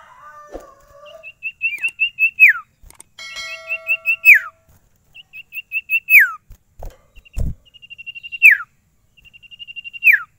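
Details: Sirtu in captivity showing its full range: repeated runs of rapid high piping notes each ending in a steep falling slur, one stretch overlaid by a steady tonal hum, plus a few low knocks.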